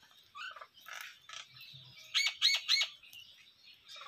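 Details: Jungle babbler, called seven sister bird, giving harsh, rasping squawks: scattered rough notes, then three loud grating calls in quick succession with a faint hum underneath.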